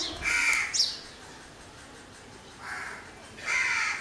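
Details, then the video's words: A crow's raspy caws: one at the start, then two more after a pause of nearly two seconds, the last the loudest, with little else heard. "Crow bird sounds or noises."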